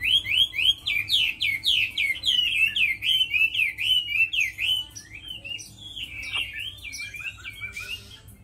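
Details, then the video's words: Chinese hwamei, a tame bird praised as a strong fighter and fine singer, repeating a rapid series of sharp, up-slurred whistles several times a second, then shifting into warbled, varied phrases that fade toward the end. "Mi thuần đấu tốt hót hay"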